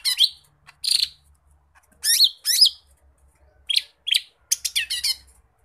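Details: Lesser green leafbird in lively fill-in song. Separate sharp, slurred chirps and whistled notes come in short clusters with brief silences between them.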